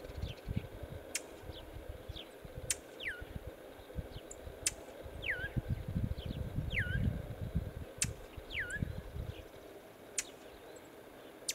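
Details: A male Brown Thrasher in Northern Illinois gives clear, downslurred whistled alarm notes, one every second or two, with a few sharp clicks over a low wind-like rumble.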